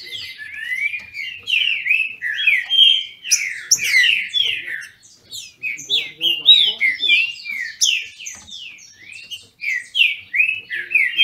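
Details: Two captive trinca-ferros at a licensed Brazilian breeder duel in song, pouring out continuous, overlapping whistled phrases that rise and fall. There is a brief lull near six seconds, and some low murmuring sounds in the background.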